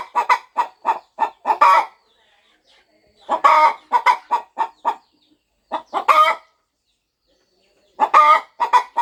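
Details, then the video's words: Mother hen on a farm settling over her nest as she prepares to hatch her eggs, clucking in quick clusters of short harmonic clucks, with brief quiet pauses between bursts. No other sounds. "Hen Clucking Sound Effect! Mother Hen Gets Ready to Hatch Her Eggs"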